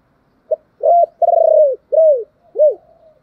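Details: Cooing spotted dove for luring wild doves to answer: a brief opening note, a drawn-out burry trilled coo, then two falling rounded notes, all low and mellow against silence.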